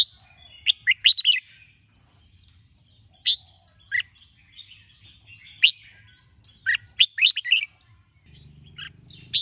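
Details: Red-whiskered bulbul giving morning song while being trained: repeated short warbled phrases of loud, clear slurred whistles spaced a second or two apart, faint twittering and a low hum near the end.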